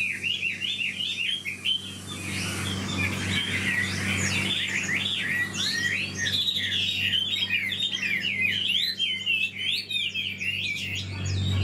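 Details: Old wild-caught hwamei in a cage delivers a long, rapid, busy song of twisting whistled notes, hardly pausing, over a steady low electrical-like hum.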